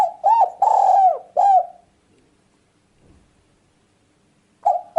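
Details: Repeated cooing of a spotted dove, meant as a bird-luring call: a soft phrase of arched notes with one lengthened coo, a silent pause, then the next phrase beginning.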